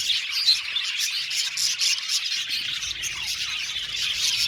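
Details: Chirping budgie flock in an aviary, a bright, rhythmic-seeming twitter of overlapping short notes with an occasional louder squeak and a faint low rumble beneath.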